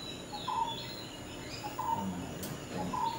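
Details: Sri Lanka myna visiting a house garden, recorded 10 December 2020: a short, clear mid-pitched whistled note with a slight rising-falling shape, repeated three times about every 1.2 seconds over steady background hiss.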